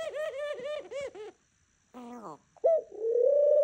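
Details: Pet dove cooing in the morning indoors: a run of quick, wavering pulsed coos, then a brief lower rasp and a long drawn-out steady note.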